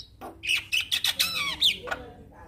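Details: Javan myna (jalak kebo) reacting to a lure recording, a brief phrase of raspy squawks followed by a bending whistled note, then a short harsh call.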